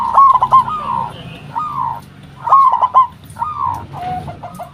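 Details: A local zebra dove calls to lure other doves into responding: bursts of quick stuttered coos followed by a drawn-out falling note, phrases spaced roughly a second apart over soft background rumble.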